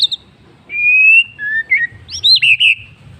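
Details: Afternoon song of a white-rumped shama: a long, clear, slightly rising whistle, then shorter whistled notes and a fluty warbling flourish with a trailing tone.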